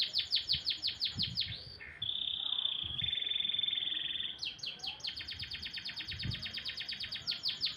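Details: Canary in full song in the morning: quick repeated falling chips, then a sustained flat whistle lasting about two seconds, then another fast rhythmic run of sharp downward-sliding notes, with occasional low thumps.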